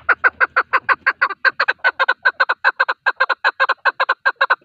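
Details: Male chukar partridge giving a call used in hunting: a steady run of short, evenly spaced chuck notes, a little more than one per second-tenth, with no pause across the whole stretch.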